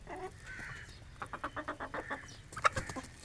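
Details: Aseel rooster and hens feeding on grain on a village morning: a few drawn-out nasal calls, then a quick run of about eight short, clipped clucks, with another sharp cluck near the end.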